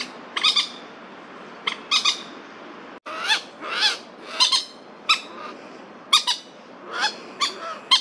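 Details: Two male Crested Goshawks quarrelling over territory in a Taipei city park, 30 September 2022. Loud, strident squealing notes come in quick bursts, some harsh and clipped, others drawn out and wavering, almost without pause.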